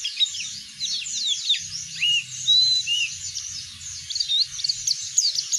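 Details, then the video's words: High twittering song of an Oriental white-eye, ngeplong style, played to prompt other birds into singing: fast chirps and slurred whistled notes in an unbroken run, with a soft low hum in the background. "burung pleci ngeplong buat pancingan bunyi"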